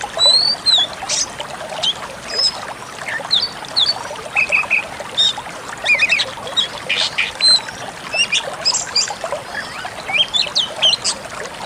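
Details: Pied Bushchat song on a training track for songbirds, with rapid scratchy twitters, clicks and thin high whistled notes in rapid, overlapping bursts.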